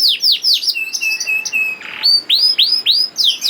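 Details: Juvenile canary in song, played to set other canaries singing: quick downward slurs, a series of level whistled notes, a brief rough buzz, then clear upswept-and-falling swoops.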